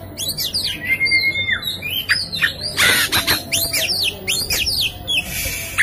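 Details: Oriental magpie-robin in persistent song, meant to provoke a silent bird into singing: a long clear whistle that dips, then quick high sweeping notes, harsh broadband rasps, and repeated rapid whistled figures.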